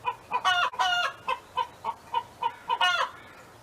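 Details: A neighbor's hen sings on a farm: two close, loud, grating squawks open the clip, then a line of short rhythmic clucks, closing with one more drawn-out squawk.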